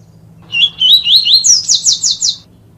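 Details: A Yellow-bellied Seedeater sings a training song for young birds: four clear, rising whistled notes, then a quick run of six higher buzzy trills, over a faint low hum.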